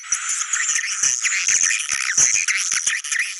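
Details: Swiftlet sounds in the style named China cave: loud, continuous high shrill twittering with scratchy chirps. A few sharp clicks are scattered through it.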